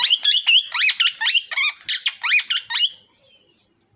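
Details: Loud, rapid cockatiel calls, each a harsh note sliding steeply down, packed several per second, then a pause and a thin, steady high whistle at the end.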